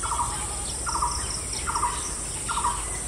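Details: Woodpecker in Bangladesh, calling while eating mango: short buzzy nasal notes repeated about every 0.8 seconds, with faint high chirps from other birds and a steady background hiss.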